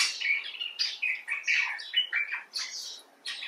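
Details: Common bulbul (Pycnonotus barbatus) talking in a lively stream of harsh, warbled chatter notes, nearly continuous for three seconds before a short pause and a final burst.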